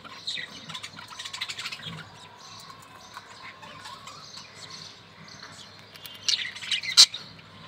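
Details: Budgerigar babies from a newly paired breeding couple, kept as pets, shown through their growth stages; a busy, dense stream of high, scratchy chirps and twitters, loudest in the first two seconds, with sharper squeaks near the end.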